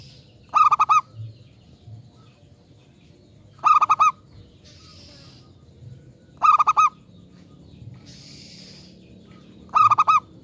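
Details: Local zebra dove used as a lure to draw replies from other zebra doves: four short rattling phrases of quick bright coos about every three seconds, with faint high chirps from other birds between them.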